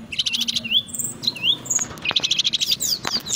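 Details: Brown-chested jungle flycatcher from Indonesia giving a loud song of short whistled slurs and rapid chirping bursts. A steady hiss of background noise sits beneath the song.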